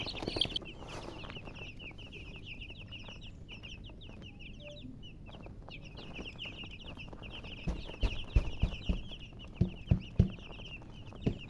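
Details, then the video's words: Chicks peep rapidly and almost without pause, high thin notes sliding downward, followed toward the end by a series of loud knocks and taps. "MURGI Baby "Chicks Chirping" Sound"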